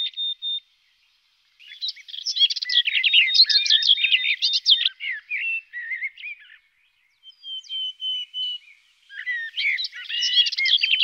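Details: Three bursts of fast, rich warbling from a garden warbler, separated by short pauses, with a brief level whistled note between phrases.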